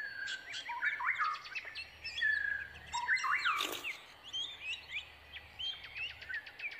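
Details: Brown prinia chicks waiting eagerly for a parent that is out foraging for their food: busy high chirps and short buzzy rattling trains, with sweeping whistled notes overlapping throughout.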